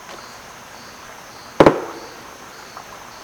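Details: Male Red-necked Woodpecker in Bolivian rainforest at Sadiri, Madidi, striking a hollowed snag: a single sharp, resonant double knock, two blows a split second apart, its species-specific signal to other individuals, over a steady insect chorus.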